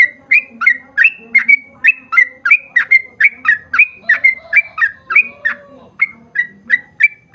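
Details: Fast whistled song of a sooty-headed bulbul, played as a lure to make fellow bulbuls sing: rapid bright notes slurring up and down, about three per second, steady and rich.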